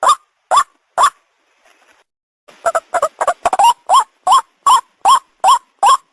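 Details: Hunting-lure recording of a white-breasted waterhen: three rough rising croaks, a short pause, a quick stuttering burst of clipped notes, then a steady run of about eight harsh repeated calls.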